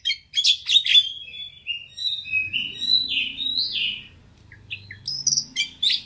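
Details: White-rumped shama lure song for a fighting bird: opening sharp chirps, then long sliding whistles rising and falling, a quieter pause, and a final burst of high chirps over a faint low hum.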